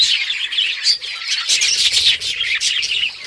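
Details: Playful budgerigars on October 30, 2023 pour out rapid, high-pitched warbling chirps, several birds calling over one another without a break.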